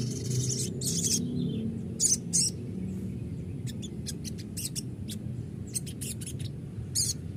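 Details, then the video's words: Sogon lure, meant to make another bird sing and answer. Dense high chirps open the clip, then crisp short notes repeat about three times a second, with low background hum throughout. "pancingan sogon bahan agar rajin bunyi dan ngalas,sogon bahan auto nyaut"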